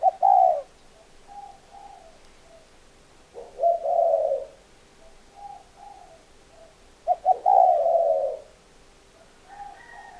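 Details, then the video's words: Spotted dove cooing phrase repeated about every three and a half seconds: a loud low hoot followed by two or three soft fading coos, in a quiet setting. "Tổng hợp tiếng chim cu gáy"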